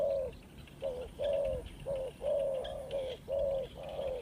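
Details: Slow, hollow coos of a Spotted dove kept for trapping: about seven rounded notes, some longer and gently falling, separated by short pauses, with light background noise.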